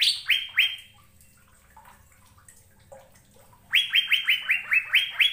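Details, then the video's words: Asian fairy-bluebird song used to train caged birds. Three upswept whistles open, followed by a quiet gap with faint notes. A fast series of about eight rising, held whistles then ends the clip. "BURUNG CUCAK BIRU GACOR"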